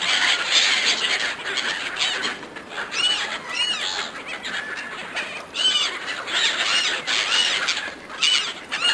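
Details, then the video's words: Gulls jostling over food given by a person: a constant crowd of shrill squeals and repeated arched, down-curving cries, loud bursts surging every few seconds. "Seagulls fighting over food, Seagulls calling"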